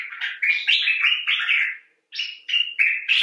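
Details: Common bulbul calling expressively: a rapid run of scratchy, slurred chattering notes, a short silence, then several clearer, steadier notes in quick succession.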